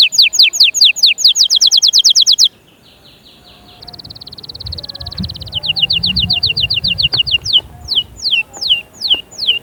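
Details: Singing canary, used to spur chicks into singing and get females ready: a rapid run of sharp falling notes, a pause, then steady buzzy trills and a series of repeated descending whistles.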